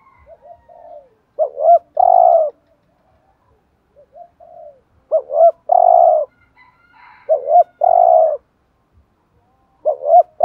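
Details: Spotted dove used as a decoy, giving thúc gù coos that provoke rival males. Four phrases come roughly every two to three seconds, each two quick notes followed by a long, deep, steady coo.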